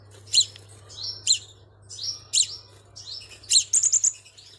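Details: High, thin Crimson sunbird lure calls: piercing chips paired with slurred whistles about every second, ending in a quick rattling trill, with a steady faint hum.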